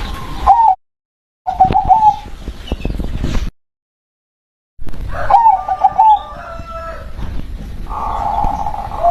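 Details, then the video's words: Local zebra dove (perkutut), a bird called spirit-possessed, delivering short bubbly cooing phrases in broken bursts separated by sudden silent gaps, ending with a sustained buzzy coo over low rumbling noise. "SUARA PERKUTUT LOKAL BERKODAM"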